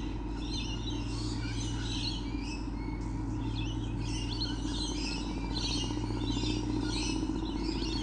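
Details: Lorikeets, many present, recorded on 28 November 2013; shrill, screechy chirps tumble over one another almost continuously, set against a steady low mechanical hum.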